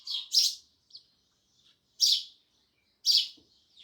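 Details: Sparrows chirping loudly, a quick double chirp followed by single sharp chirps about a second apart, with faint high twitters in the pauses.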